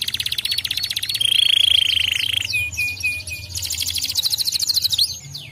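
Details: Canary song meant to stimulate other canaries to sing: fast buzzy trills near mid-high pitch, then a long steady whistled tone, followed by swooping descending notes and renewed rapid trills.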